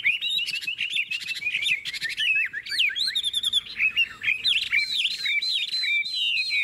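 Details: Caged Chinese hwamei in a long, varied song of loud rising and falling whistles, rapid trills and sharp repeated notes, phrases shifting quickly with barely a pause.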